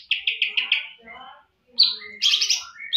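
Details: Greater green leafbird of champion quality: a fast run of repeated buzzy chips descending slightly, a quiet pause, then loud high whistled and harsh notes tumbling together.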